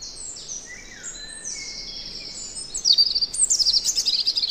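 A robin sings high, thin, sweet whistles, some sliding down and some held level, then ends on quick, sparkling trills. Faint background hiss throughout.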